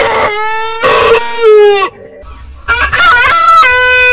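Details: Rooster crowing in several drawn-out, strongly harmonic phrases. One crow slides downward, and a second, higher crow follows after a brief quiet gap.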